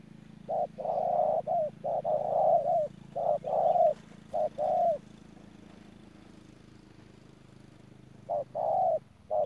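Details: Spotted dove used as a ground decoy in Đức Cơ, calling in a run of short-then-long coos that pause for several seconds before resuming, with a low steady hum underneath.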